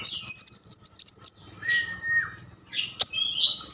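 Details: Common iora in lively song, used to stir breeding mood and prompt other ioras to sing: a fast series of about ten high, sharp notes, then a drawn-out lower whistle sliding down, ending with a few abrupt chips.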